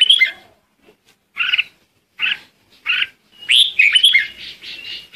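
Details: Flock-calling lure song of a red-whiskered bulbul: three clipped chirps evenly spaced, then a longer bubbling whistled warble with a sustained trailing tone.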